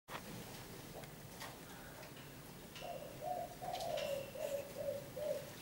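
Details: Local Javanese zebra dove of the 'kuk 3' song style at a breeding farm, opening with faint background noise, then a run of quick, rolling mid-pitched coos from about three seconds onward, broken into short pulsed phrases.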